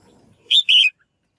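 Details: Female bird calling to stir males into lively singing: a single bright two-part chirp, a short sharp note followed at once by a longer, slightly falling buzzy note, after faint low background rumble.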